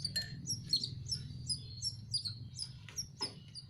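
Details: Quiet, thin squeaks from hand-fed young canaries repeat roughly every third of a second. Occasional sharp clicks break through a droning low background hum.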